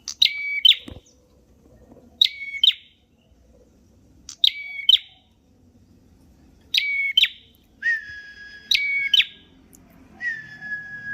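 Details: Prenjak merah (a prinia) singing, a champion bird of the songbird hobby: sharp paired chirps dropping from high to mid pitch, repeated about every two seconds, then drawn-out flat whistles later on; a quiet background.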